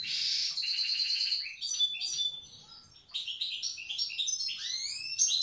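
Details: Goldfinch song in the old wild style, recorded in Tiaret: a harsh buzzy opening, then bright tinkling notes, a short lull, and a string of rising, slurred whistles.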